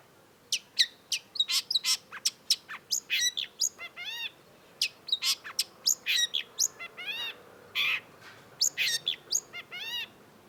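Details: Long-tailed shrike (cendet) singing energetically as a tutor recording: a dense, fast run of sharp high chips and ringing upward-curving chirps, about two notes per second, varied in tone throughout.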